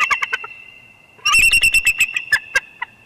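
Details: A Bald Eagle pair at their Big Bear nest at dusk on 20 January 2021 track a large bird flying by and vocalize: a few high piping notes, then a rapid burst of about a dozen squeaky, stuttering chatter notes.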